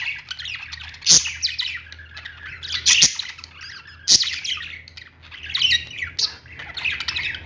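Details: Pet-store lovebirds keep up a busy chorus of harsh, high chirps and squawks, broken by three sharp clicking knocks spaced a second or two apart, over a constant low hum.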